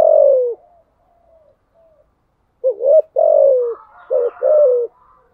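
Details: Spotted dove in thúc gù style: a long low falling coo with soft trailing notes, then a pause. A fuller phrase follows: a wavering lead-in, a drawn-out coo and two shorter closing notes, with a faint higher rasp behind.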